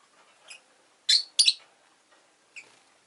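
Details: Rosy-faced lovebird calling in loud, harsh, high squeaks, two strong chirps in quick succession framed by softer, thinner notes before and after.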